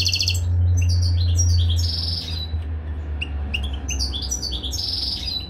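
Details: Caged European goldfinch around mating time, giving short twittering phrases and a buzzy trill over a strong low-pitched hum that dominates the first two seconds.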